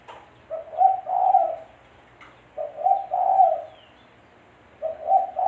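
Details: Spotted dove cooing, used as a lure when trapping birds: three mellow hooting phrases about every two seconds, each a brief lead-in note followed by a longer throaty double coo, with quiet surroundings.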